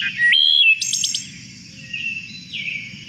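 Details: A single wood thrush singing two different songs at once, one from each side of its syrinx: flute-like rising notes, then a rapid trill of high, overlapping tones, with a low hum beneath.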